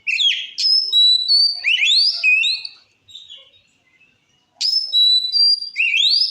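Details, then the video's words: White-rumped shama song to provoke rival shamas: sharp note followed by level whistles and upward sweeps, a quiet gap, then a repeat of the same whistled pattern. "Suara Kacer Gacor Ngeplong Ampuh Memancing Emosi Kacer Lain"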